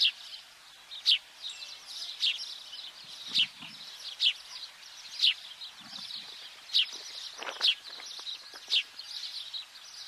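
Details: A house sparrow (Passer domesticus biblicus) at Cape Greco, Cyprus, in April 2023 gives sharp, short chirps roughly every second over a steady hiss of other distant chirping birds.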